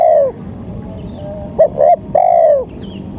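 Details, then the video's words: Spotted dove cooing as a trapping lure: a long coo fading at the start, then two brief notes and another long, smoothly falling coo, over low steady noise. "Pancingan suara tekukur"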